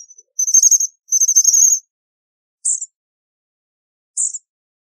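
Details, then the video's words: American bushtit giving two quick trilled high twitters, followed by two isolated short sharp chips about one and a half seconds apart, in otherwise silent surroundings. "American Bushtit Song! American Bushtit Call! Sound! - Mito Sastrecillo Canto"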